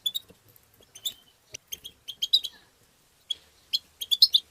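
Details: Goldfinch twitters used to encourage other goldfinches: sparse high chips at first, a clustered burst of tinkling notes around two seconds, silence, then a quick chattering flurry at the end.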